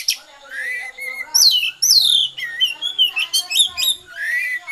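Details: Oriental magpie-robin in 'konslet' song: a dense, continuous run of bright descending whistles, buzzy slurs and quick twittering phrases with almost no pauses, a low hum faintly underneath.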